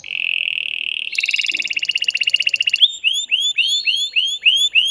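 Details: Excited male canary singing to arouse a female for mating: a dense buzzy roll, then a pulsing trill, then a run of quick upward-sweeping notes.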